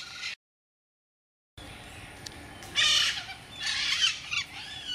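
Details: Two pet Blue-and-yellow macaws, aged eight and seven, in a clip where a macaw gives two harsh, raspy squawks about a second apart after a brief silent break, with faint background hiss.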